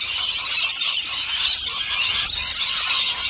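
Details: Rainbow lorikeets mob a bowl of nectar, their overlapping shrill screeches forming an unbroken, deafening wall of high, grating squeals.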